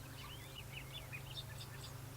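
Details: Bobolink singing in open managed grassland at Shawangunk Grasslands NWR, New York, under clear sunny skies: a rapid, bubbling jumble of tinkling metallic notes jumping in pitch, over a steady low rumble of wind.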